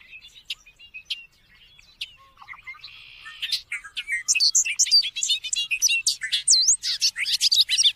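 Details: Bobolink in song: scattered soft notes and a buzzy phrase build into a loud, hurried cascade of sharp, tinkling, metallic notes leaping across pitches.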